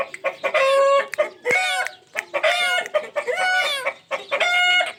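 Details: Ringneck parrot, a pet, giving loud raspy squawks with strong harmonics, each about half a second long and about one a second, between short harsh notes.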